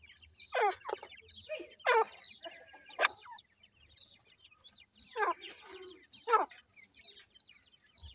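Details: While a grey francolin mother feeds her chicks, loud harsh rasping bursts come in pairs, roughly every second, then a pause and another pair, over a soft background of faint high chick chirps.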